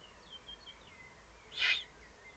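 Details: In the Eifel on 31 May 2020, a Eurasian eagle-owl calls below the nest site. It gives a single short, breathy, hissing rasp after soft high bird whistles in the distance.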